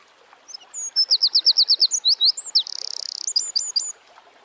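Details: Wild Eurasian wren, Troglodytes troglodytes, delivering one vigorous song phrase: a run of quick piercing notes, a dry rattling trill in the middle, and several sharp closing notes, with faint outdoor ambience.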